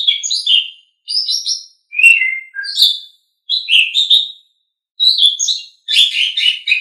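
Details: Asian pied starling giving a masteran song, a recording used to train songbirds. Short bursts of varied whistles and harsh chattering notes come in phrases about a second long, separated by clean silent gaps. No other sounds.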